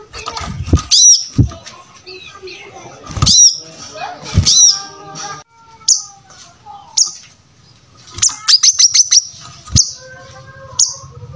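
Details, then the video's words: A lively brown-throated sunbird singing as a training model for other caged birds. Sharp, high, thin chirps in short clusters, several rapid ones near the end, broken by low thumps and rustling bumps. "Pancingan Suara Kolibri Kelapa Gacor"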